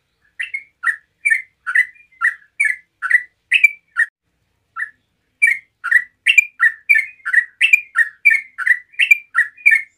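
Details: Bulbul of the yellow-vented kind singing a relaxed, rolling 'ngeropel' song to get rival bulbuls answering: a fast series of sweet, chirped notes with a short break midway, then a denser burst.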